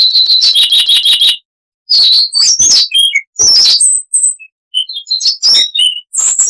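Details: Varied chattering song of a Siberian rubythroat, a small insect-eating songbird. It opens with a fast train of repeated high notes, then breaks into scattered whistles, chirps and buzzy slurs after a brief gap.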